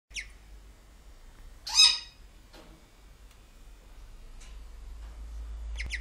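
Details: Grey parrots at a breeding facility, a breeding pair and hand-fed young, give a few harsh, rasping squawks, one loud and drawn out near the middle, with quieter scratchy calls before and after over low background hum.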